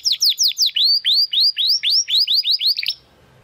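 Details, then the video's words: Spanish Timbrado canary, a young Classico-style singer developing its full song: a steady series of loud, sweeping downslurred whistles about four per second, slowing slightly, then ending in a quick flourish and near silence. "Canary Song - Spanish Timbrado Classico"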